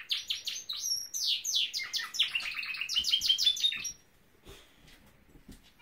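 A Norwich canary sings a fast, rolling run of bright chirps and trilled phrases for about four seconds, then falls quiet apart from faint room noise.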